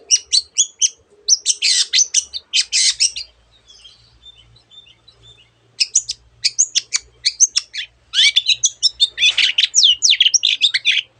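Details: Long-tailed shrike in full vigorous song rich in imitations of other bird voices: fast bursts of high chirps and trills, a quieter pause in the middle, then a dense run of sharp, sweeping notes.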